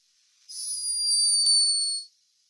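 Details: A sleeping hummingbird recorded by a scientist in Peru snores: a thin, high-pitched whistle held for over a second, sliding slightly downward.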